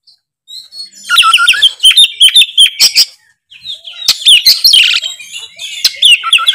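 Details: Loud gacor ngeplong song of kacer, the Oriental magpie-robin: pulsing whistled notes in a rapid run, a short silence, then harsh scratchy chatter mixed with thin high whistles.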